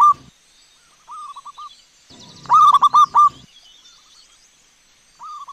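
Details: Local wild zebra dove answering a lure recording. One loud phrase of about five quick, rolling coos is heard, framed by fainter, shorter coo phrases before and after it. Faint higher bird chirps sound in the background.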